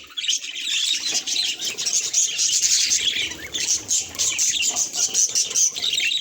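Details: Pet budgerigar chirping at its mirror reflection: constant high, scratchy warbling that keeps going for the whole stretch, with short bright tweets mixed in.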